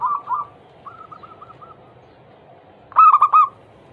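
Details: Zebra dove lure song for encouraging other doves to sing. Faint coo notes open the stretch, followed by quiet repeated notes and one short, loud, rolling coo phrase near the end.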